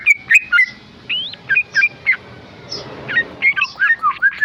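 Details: Tame male sooty-headed bulbul giving ropel song: scattered, quick whistled notes with slurred upward and downward turns, broken by short pauses, over a steady background hiss.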